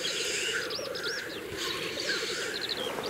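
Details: Black grouse at the lek in April 2024, Kologriv Forest, Russia: a steady low bubbling drone runs throughout, while other small birds add high whistled chirps and twittering above it.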